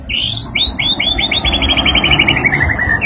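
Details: White-rumped shama singing excitedly in reaction to a played sound: a fast run of about a dozen short, downslurred whistled notes, gradually lowering in pitch, over a steady low background hum.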